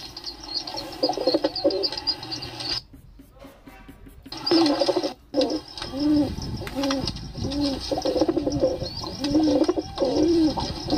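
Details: Pigeon cooing resumes after a brief quiet break, then low bowed coos follow one after another in a rolling rhythm, with faint chirps and background noise.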